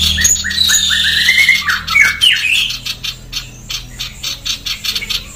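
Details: Female sooty-headed bulbul in energetic song: clipped rising notes tumble out one after another, then fade into a quick train of rough, rasping pulses roughly four per second.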